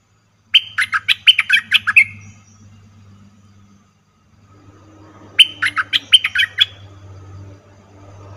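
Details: Cream-vented bulbul calling as a trapping lure, recorded 2 November 2021: two bursts of about seven quick sharp chirps each, separated by a few seconds of low steady hum.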